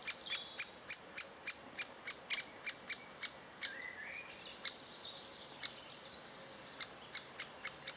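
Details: Great spotted woodpecker adults feeding chicks in June 2011: sharp, high, clicking notes repeated irregularly, roughly one or two per second, with other songbirds twittering and whistling in the background.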